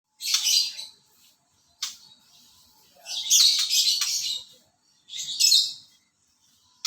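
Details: White-rumped shama, a kept bird being sunned under cloudy skies, giving short harsh raspy bursts of high chattering notes separated by pauses of about one second, with one longer, denser phrase in the middle.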